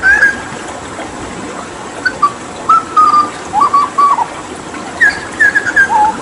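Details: Hooded butcherbird, a Papuan endemic mimic, singing gacor tutor song with water therapy: scattered clear fluty whistled notes, some level, some dipping or rising, in short groups separated by pauses, over a steady faint hiss.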